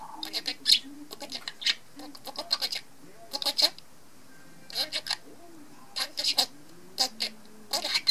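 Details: Sleep talking from a male pet budgerigar indoors: clusters of rapid, raspy murmured syllables and sharp high clicks, grouped in bursts about a second apart, with soft low warbling between them.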